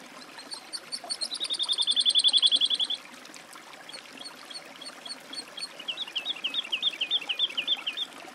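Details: Woodlark song: a rapid series of liquid notes swelling louder over about two seconds, then a pause and a softer rolling trill of repeated wavering whistles; quiet natural background.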